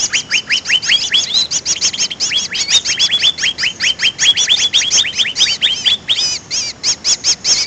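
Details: Lure call of the greater green leafbird for trapping birds: rapid series of slurred notes dropping in pitch, each ringing and metallic, delivered in a steady, busy stream several times a second.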